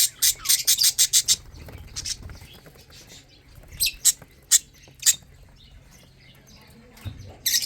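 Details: Lovebird chicks eating and drinking, giving rapid high, thin scratchy chirps in quick bursts, then scattered single chirps over a low steady hum.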